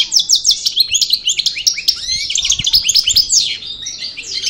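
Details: Parva goldfinch of the El Bordj Cravaty style, just out of moult, pours out a continuous run of bright chirps, rapid tinkling notes and short buzzes with barely a pause.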